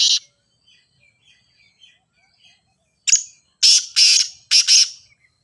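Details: Grey francolin (teetar, ghogha teetar) call meant to prompt other francolins to start calling: a short harsh burst, a pause with faint soft chirps, then three loud rasping notes in quick succession.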